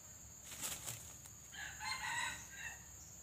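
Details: Wing-flapping noise opens, then a red junglefowl crows in several rough harmonic parts, moderately distant, during trapping where a pale white-legged decoy lures wild junglefowl.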